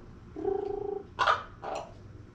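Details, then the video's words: Pet female common raven making strange noises that sometimes seem like an attempt at hello. A steady, low humming tone lasting over half a second, followed by two harsh, rasping squawks. "Raven Becky trying to talk or just squawking in my face?"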